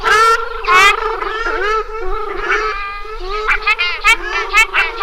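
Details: Ruddy shelduck making drawn-out, wavering nasal calls followed by a cluster of short, clipped honks.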